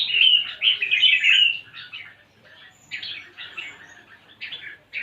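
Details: Red-whiskered bulbul singing energetically: chattering, warbled high phrases in three bursts, with short pauses of near silence between them.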